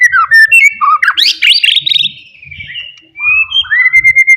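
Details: White-rumped shama from the forest singing loudly to provoke rivals, with sliding whistles, a burst of rising buzzy notes, then long clear whistled tones and quick chips; faint low knocks beneath.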